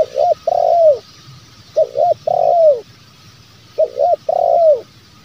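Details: Low spotted dove cooing in the 'bero kuk, one lambung kuk' style, used to lure wild doves into calling. Three phrases come roughly every two seconds, each a quick double coo followed by a drawn-out purring coo that drops at the end, over steady background hiss.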